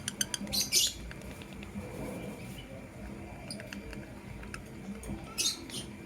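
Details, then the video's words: Blue opaline and green personata lovebirds in the morning, with a loud raspy double screech at the start, light tapping clicks, and one more harsh chirp near the end. "Lovebird Chirping Sounds in Love"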